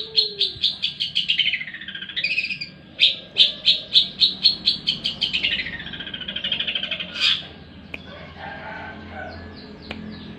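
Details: Long-tailed shrike singing actively on a competition track in Indonesia: rapid runs of harsh, buzzy notes around the upper mid range, repeated several times a second, broken by a sliding phrase and a few sharp clicks.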